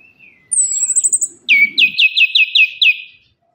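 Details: Lure song of an orange-headed thrush for birds that have gone quiet. A high fine trill and a low whistle lead into a loud run of seven or eight repeated rising notes.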